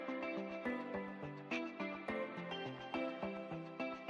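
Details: Gentle instrumental music with plucked, evenly repeated notes; no animal sounds are heard.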